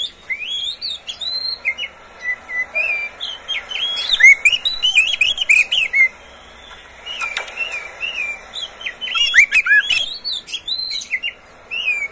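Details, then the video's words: Oriental magpie-robin, a kept bird, used as a master song so other magpie-robins will sing. A continuous flow of varied whistled notes, chirps and trills comes in uneven bursts, with a short pause midway. "SUARA BURUNG KACER, cocok buat pancingan Kacer pagi, siang, sore"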